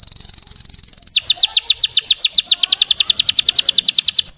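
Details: Russian canary singing to provoke untrained canaries: a very fast high trill, then a slower trill of bright descending sweeps repeated many times a second.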